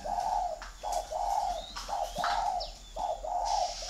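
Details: Spotted dove at a Vietnamese dove farm in Ba Vì, Hanoi, performing the gù thổ coo: a series of soft, throaty coos, each dipping slightly at the end, coming in a short-long pattern amid distant twittering birds.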